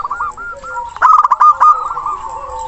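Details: Local zebra dove with a big voice, calling a rival and used to lure silent birds into singing: a loud burst of rolling, staccato cooing notes mid-clip, with quieter, similar cooing trills continuing before and after.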